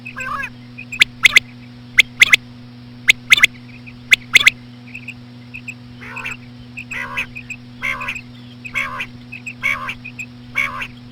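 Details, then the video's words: Female common quail sounds, slowed, used to call quail: sharp three-note bursts in the first half, then a run of nasal buzzy calls about once a second with faint soft notes between, steady hum underneath. "BATAIR KI AWAZ SLOW KIRK KI SAT| COMMON QUAIL CALLING WITH SLOW FEMALE QUAIL SOUNDS | FEMALE QUAIL"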